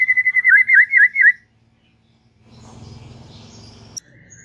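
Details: Relaxed song of a white-rumped shama: a quick run of looping whistled notes lasting over a second, then near silence with faint background hum.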